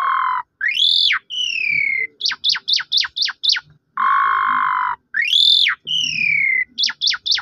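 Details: Asian pied starling song played to provoke a silent bird into singing: steady whistled tones, arched upslurs, a falling slur, then quick sharp downward notes repeated in a series; the phrase is repeated.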